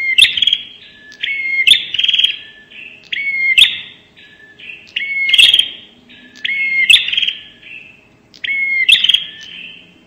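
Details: Repeated 'nembak' lure calling of a bar-winged prinia: about six loud phrases in ten seconds, each a whistled rising note and a buzzy, rattling trill, some joined by softer buzzes.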